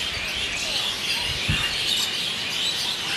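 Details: Noisy pre-roost flock of Asian Pied Starlings at Kolkata, India, in the evening, recorded with a Nikon D3200; constant thin chirps and chatter, plus a few low thumps around the middle.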